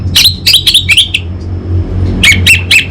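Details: Orange-headed thrush, locally called anis bata, from North Bali, Singaraja, Indonesia, singing loudly: bursts of sharp high chirps and short trills in two clusters, separated by a brief pause, over a low steady hum.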